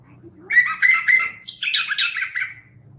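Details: Chestnut-capped thrush singing vigorously: a bright warbled phrase near mid pitch, then a higher, buzzier run of clustered notes fading away, over a low steady background hum.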